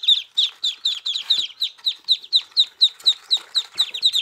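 Muscovy ducklings peep in a steady chorus, giving high, sharply down-slurred notes about twice a second, with several chicks calling over one another.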